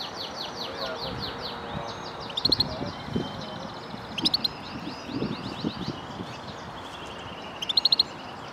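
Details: European goldfinch kept in a custom wood cage, singing for song training: a fast twittering stream of high chirps and slurred notes, broken by sharp bright ticks repeated three or four times, over a low background hum.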